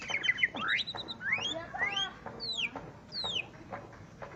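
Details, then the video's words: Greater green leafbird singing against a rival bird, giving clear whistled notes that sweep up and down, spaced about every half second, with some faint overlapping chirps in the background. "cucak ijo Akhirnya dapat LAWAN tempur.."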